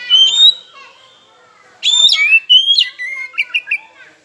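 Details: Kacer, the oriental magpie-robin, singing as a lure meant to trigger rivals into song: a bright whistled phrase, a pause, then rich slurred whistles and short chirping notes in quick succession.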